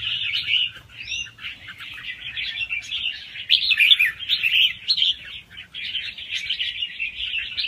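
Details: Wild-caught juvenile red-whiskered bulbul giving quiet, quick-cycling song, played to make other birds lively. Dense warbled twitters continue for the whole stretch, with one short upward whistle early on and louder rising flourishes midway.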